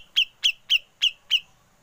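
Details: Grey-cheeked bulbul doing 'ngepik' after 'besetan', meant for training songbirds: five crisp, sharply downslurred high notes spaced evenly about a quarter second apart against a quiet background.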